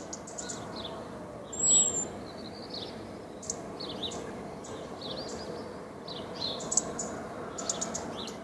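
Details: A European robin in a garden sings thin, high, varied warbling phrases, broken by short pauses, over a steady low rushing background noise.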